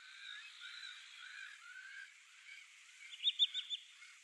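Pallas's fish eagle gives harsh, goose-like honking notes, ending in a loud burst of four rapid, high barks.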